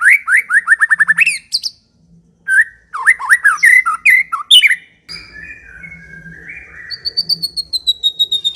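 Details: White-rumped shama in active ngekek song: a fast series of about a dozen repeated rising notes, a pause, jumbled chattering phrases, then long sliding whistles and a high repeated ticking series.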